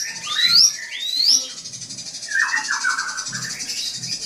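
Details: Drongo song provoking a rival: two loud, clear upward-swooping whistles, then a harsh, buzzy descending phrase, with soft low thumps and a faint hiss behind.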